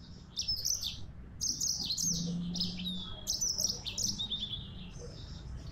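A yellow-fronted canary sings a bright, high, rapid warble of twittering phrases and short trills in quick bursts, over a faint low hum.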